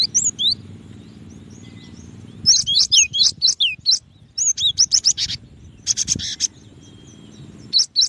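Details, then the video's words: High, sharp chirps and looping whistled notes from a cinereous tit (gelatik batu), delivered rapidly in clusters, with one harsh buzzy burst, over a steady low background hum. "SUARA BURUNG GELATIK BATU"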